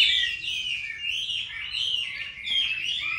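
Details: Caged Chinese hwamei from Hanoi, Vietnam, giving a continuous high, scratchy warbled song of blurred rising and falling notes.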